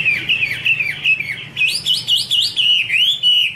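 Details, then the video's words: Female Chinese hwamei in song with a male in the background: falling whistled slurs at first, then a string of bouncy looping whistles rising and falling rapidly. "Chim hoạ mi: Mái te đỉnh cao của năm _ có chim trống làm nền"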